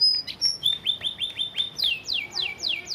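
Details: Canary master song for training, known as an Isian Gereja recording: bright descending whistled sweeps and quick repeated rising notes, then a series of steep downward slurs about every quarter second.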